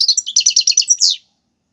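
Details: Goldfinch in the Algerian tiwawati galoubi and serfati song styles, for teaching young birds; a rapid pulsed trill of about ten bright, buzzy notes closing with one longer drawn-out note.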